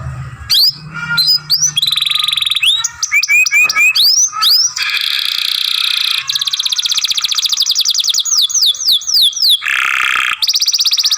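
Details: Canary masteran, a young bird singing long grumbling passages: dense buzzy rattles and fast trills alternate with quick rising whistled phrases, sustained almost without pause throughout.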